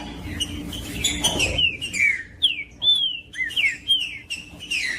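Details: 'Macheando' song of the trinca-ferro, or green-winged saltator, used to stir other birds into singing. Loud clear whistles, long downslurs and one sustained level note, spaced at roughly half-second intervals after a brief noisy start.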